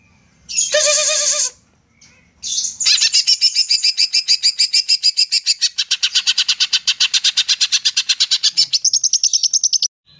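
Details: A greater green leafbird in full, lively song, used as a lure to get quiet leafbirds singing, opens with a harsh, rasping burst, then pours out a long, fast string of bright, high notes, about three or four a second.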